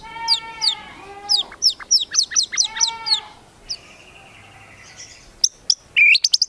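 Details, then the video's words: A White-rumped shama from Medan sings a loud, varied full song: rapid bursts of sharp chirps, clear ringing whistles and a final stutter of high notes, with phrases borrowed from other birds, including linked cililin imitations. "MURAI BATU MEDAN GACOR FULL ISIAN TEMBAKAN CILILIN SAMBUNG"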